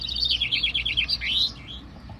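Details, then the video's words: Common chaffinch at a vinkenzetting singing contest in Bellem, East Flanders, Belgium: a quick descending run of bright trilled notes ending in a short flourish, over low rumbling background noise. "Finch-singing contest / Vinkenzetting Elk Zijn Recht met 23 vinken in Bellem"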